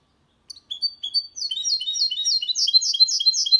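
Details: Singing goldfinch-canary mule, a recording for stimulating males and teaching chicks: brief high notes, then a quickening, continuous run of bright metallic twitters that grows louder.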